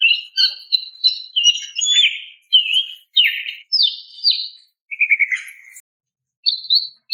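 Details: Female greater green leafbird calling a male: a busy string of varied chirps, whistled slurs and short warbles, a brief buzzy trill, a pause, then a final high note.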